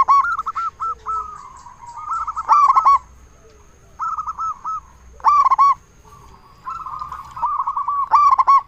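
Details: Loud local zebra dove song meant to draw replies from other zebra doves: phrases of rippling coo notes each ending in a strong stuttered coo burst, repeating about every one and a half seconds.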